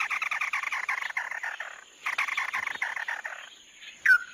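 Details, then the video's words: Japanese white-eye used as a lure recording: fast chattering warble of rapid repeated notes, with a brief pause midway and a sharp whistled note near the end. "Tiếng chim Mắt Đỏ mới nhất"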